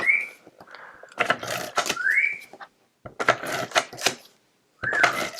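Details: An indoor pet African grey parrot, excitedly chiming in, gives three clear, upward-sliding whistles a couple of seconds apart, among sharp clicking and rustling from nearby paper crafting.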